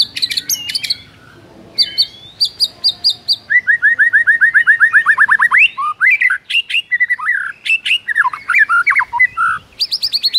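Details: White-rumped shama in full, energetic morning song with rich varied phrasing, meant to spur other shamas to sing: high sharp whistles open, then a fast run of about twenty identical downslurred notes, followed by mixed chattering phrases, trills and bright whistles.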